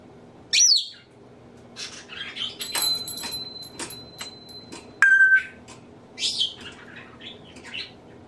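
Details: Pet male African grey parrot in a home, imitating sneezes, laughter, burping and nose blowing; a sharp falling whistle, rustling clicks, a long steady high tone, then a clean flat whistle and a hissy burst.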